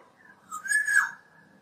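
A Black-naped Oriole gives a single, clear, fluty whistled phrase that rises, peaks, then drops away, lasting about half a second over quiet background.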